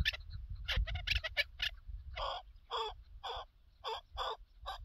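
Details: Chukar partridge in a hunting setting, a burst of high, hurried chattering notes followed by slower, evenly spaced broad chuck calls.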